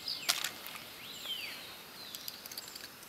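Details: An Asian house martin gives a few faint, high chirps and quick down-slurred twitters over about three seconds, with soft ticks and a quiet outdoor hiss.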